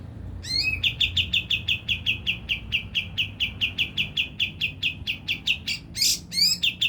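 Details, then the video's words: Javan grey-throated white-eye, used as a lure to trigger singing, opens with an upslurred whistle, then delivers a rapid, even string of sharp chips, with a brief harsh burst near the end. "Pancingan kapas tembak langsung emosi dan bunyi"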